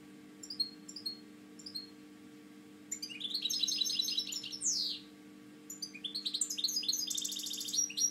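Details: European goldfinch kept in captivity for breeding gives a few sparse high chirps, then breaks into dense twittering song with a sweeping downslurred note, a brief pause and another tinkling run; faint steady hum below.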